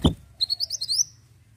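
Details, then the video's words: Ashy tailorbird singing energetically, played as a lure recording to trigger other birds to sing: after a dull thump, a quick burst of about eight high, sharp notes that climb slightly in pitch, over a faint low hum. "PANCINGAN AMPUH MANTENAN GACOR!!"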